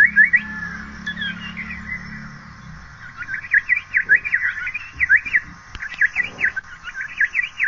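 An Asian paradise flycatcher gives fast, repeated, scratchy chattering notes at a mid-high pitch. A low droning hum fades out early on.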